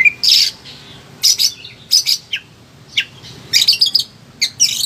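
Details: Excited caged Oriental magpie-robin, used as a prompt for quiet birds, gives spaced bursts of harsh, scratchy notes with thin whistles, separated by brief silences.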